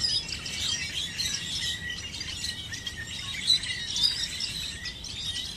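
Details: Large flock of birds that arrived all at once in a field near corn, Chandler, Arizona, 1 October 2014. Many birds chirp together in a steady high chatter, with brief bright whistled notes standing out; soft low background rumble.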